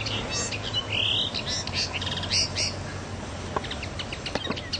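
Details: On Pantelleria, 9 January 2011, a common linnet gives a rambling twittering song of quick chirps and a drawn-out buzzy note, then sparser sharp ticks near the end over a low background hum.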